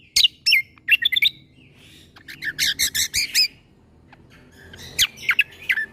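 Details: Cucak kombo (leafbird) 'full tembakan' song meant for training young magpie-robins: sharp high whistled notes, then a rapid rattling series of about eight harsh, buzzy chips, a pause, and more piercing down-slurred chirps.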